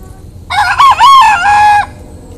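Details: Rooster from a flock of thirteen chickens crowing as a wake-up call: one loud, harmonic, slightly hoarse crow lasting about a second and a half, with a wavering, rising-then-level pitch and a steady drawn-out end, over a quiet low hum.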